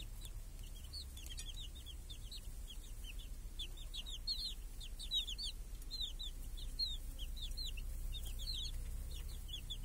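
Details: Hen and chicks grazing in a village under a cage guarding the young from crows and hawks, clear summer day; many chicks peep in quick, high, curved notes, sparse at first then thickening into a dense chorus over soft background rumble.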